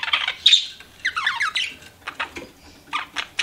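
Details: Pet budgies giving short scattered chirps and squawky bursts separated by brief gaps, with a faint low hum beneath.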